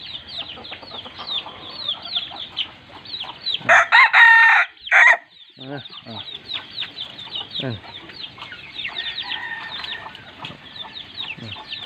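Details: Crossbred village chicken in the morning: one loud, harmonic rooster crow of about a second and a half, broken into two bursts, rising out of a busy backdrop of rapid high chirps and clucks from many other birds.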